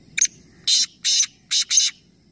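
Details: Black francolin (black partridge) in Nawabshah, interior Sindh, Pakistan, giving a harsh, rasping call: a short clipped note, then four loud grating notes in quick rhythm over about two seconds.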